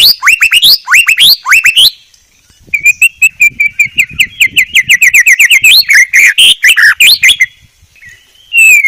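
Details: White-rumped shama singing for a training recording: rising whistled phrases, a short pause, then a steady rapid series of ringing chirps that ends in a brief silence and a final whistle.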